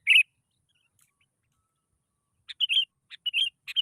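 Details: Sooty-headed bulbul, played as a lure so other bulbuls answer in song: one brief chirp, a long gap, then several clipped, bubbly chirping notes in quick succession.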